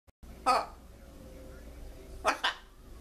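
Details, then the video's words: A talking blue-and-yellow macaw speaks in a hoarse, nasal voice: one short word, then a two-syllable "hello" greeting about two seconds later, in an otherwise quiet room. "Talking Blue And Macaw Saying Hello"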